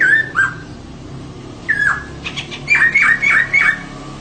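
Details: Female laughingthrush singing as a prompt for males: clear downslurred whistles, then a quick series of five bright rising-falling whistled notes, over faint background rumble.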